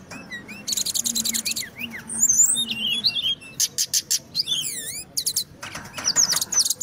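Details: Brown-chested jungle flycatcher, a native Indonesian bird, singing in gacor style, loud and dense: bursts of high buzzy trills alternate with clear slurred whistles and sweeping down-up notes, with short gaps between phrases.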